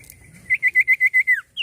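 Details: Common iora singing energetically: a quick run of seven short, bright whistled notes at one steady pitch, the last one sliding downward, followed by a brief high upslur.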